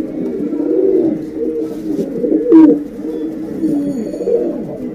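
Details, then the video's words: A hen pigeon calling for the male, used as a lure. Soft, guttural cooing murmurs on steadily with one louder burst midway, heard indoors. "SUARA PIKAT AMPUH BURUNG DARA BETINA MEMANGGIL JANTAN"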